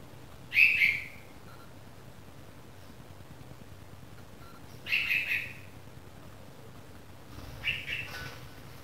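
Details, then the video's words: Newly fledged red-vented bulbul chick calling: three short raspy chirps spaced roughly four seconds apart, the last fainter, in a calm quiet setting. "Baby Bulbul Bird Sound - Red-vented Bulbul Chick Sound"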